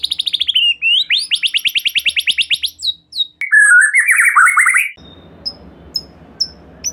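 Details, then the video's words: White-rumped shama (murai batu) singing as a lure for another shama: rapid pulsed trill runs, a lower tumbling warble, then scattered sharp high chips over faint background hiss. "Silahkan Coba Video Pancingan Murai Batu Gacor Ini, Murai Bahan Pasti Bunyi || Voice of Murai Batu"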